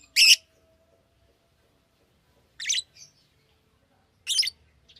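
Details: Three loud, shrill chirps from a Fischer's lovebird, widely spaced about two seconds apart, with near silence between.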